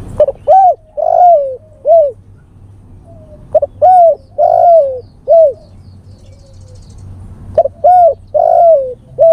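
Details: Male spotted dove calling to a female, a lure recording: three similar phrases, each a hiccup note then three to four clear, arched coos with one long descending note, with a low hum underneath.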